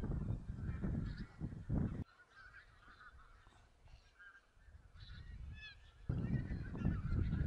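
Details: Wild goose flock in Silesia during a mid-November 2016 count; clear bursts of nasal honking and cackling in the middle stretch, framed by loud low wind buffeting at the start and end.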